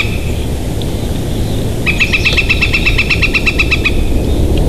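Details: Bald eagle of the Big Bear Valley nesting pair, on a nest camera on 7 March 2023 near 11:33, gives a quick run of high staccato chirping notes lasting two seconds, over strong constant wind roar.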